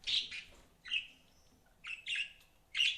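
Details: Budgies kept as pets give short clear chirps in small clusters separated by pauses, each note bright and slightly buzzy, fairly high pitched.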